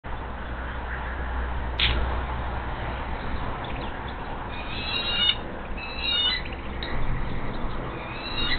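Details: Bald eagle at a nest beside the Monongahela River, West Mifflin, Pennsylvania, near Pittsburgh, on 17 April 2023 at 7:53, when an adult brings in a massive largemouth bass. High, thin, descending chirps come in short bursts over steady low rumbling background noise.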